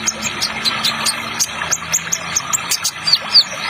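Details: Kolibri Ninja Trotol sunbird, a sought-after bird-training recording: thin, high, sharp chirps repeated about every third of a second, some dipping slightly, over a constant rushing water-effect background.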